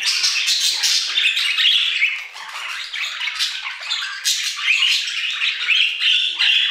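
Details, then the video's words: Aviary budgerigars singing steadily, a continuous dense chatter of buzzy, squeaky notes and short whistled chirps tumbling over one another without pause. "Budgie Songs - 1 hour of Budgies singing in the Aviary"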